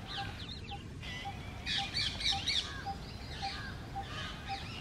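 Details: Rose-ringed parakeets, including a female, fighting and challenging one another for dominance at a bird feeder filled with grains. Harsh, screechy squawks come in a dense burst mid-clip, with a steady short tone repeating about twice a second and low background rumble.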